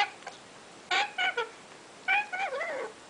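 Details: Young African grey parrot chicks from a first clutch give nasal, rasping cries in short bursts, the last one wavering up and down in pitch, in a quiet room.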